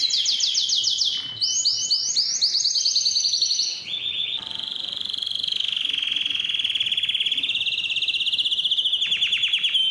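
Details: Singing canary, used to spur males to sing and to tutor young canaries: quick sweeping whistled syllables, a lower repeated phrase, then a long, even rolling trill that rises slightly near the end.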